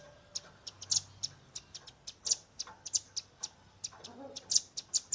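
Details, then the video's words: Velvet-fronted nuthatch youngster giving tembakan, a shooting call style, recorded with a Redmi 10 phone: irregular sharp high chips, several per second, with a faint low murmur beneath. "RAMBATAN PARUH MERAH gacor nembak rapat"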